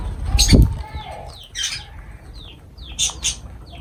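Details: Lovebird calls at food: short, high squeaky notes that slide downward, repeated several times with brief louder squawks, over a soft low background hum.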